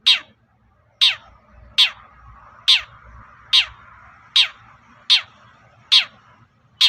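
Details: Cendet, or long-tailed shrike, used to provoke other shrikes into answering: nine rasping, steeply falling notes spaced about 0.8 seconds apart, loud and evenly repeated, with faint low noise.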